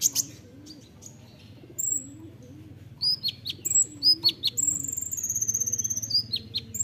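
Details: Songbird training recording of the olive-backed sunbird, known locally as kolibri ninja, in nembak rapat song: scattered thin whistles and sharp downslurred chips building into a rapid high trill, with soft low sounds underneath.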